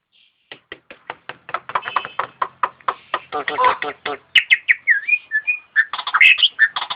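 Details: Melodious starling song: a fast series of harsh clicks and chatter building in tempo, then rising and falling whistled slurs mixed with buzzy notes.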